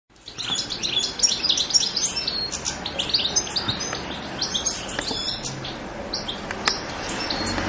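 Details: European goldfinch, Carduelis carduelis: dense, rapid tinkling twitter of high, bright chirps, many short notes tumbling together almost nonstop for about seven seconds, with a faint low hum underneath.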